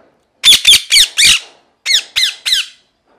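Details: Parrot screaming in two rapid bursts of harsh, downslurred squawks, four then three, each burst about a second long.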